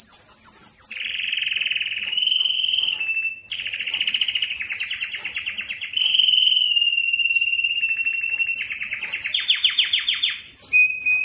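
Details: Belgian canary breeding song aimed at attracting females: a long sequence of rolling trills alternating between lower smooth whistles and higher sharp rattles, with brief gaps between tours and quick chipping notes near the end.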